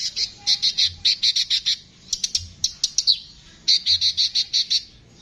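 Brown-throated Sunbird giving a harsh, high chattering song. Quick runs of about eight scratchy notes, roughly six a second, break off with short pauses.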